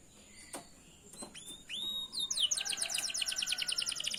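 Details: Canary song meant for training canaries to sing: scattered faint notes and rising whistles, then a rapid high trill of repeated downslurred notes filling the last two seconds.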